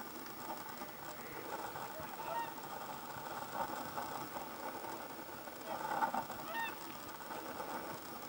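Black grouse at an autumn lek: a steady, low bubbling murmur from several males, broken by a couple of short, hoarse rising hisses.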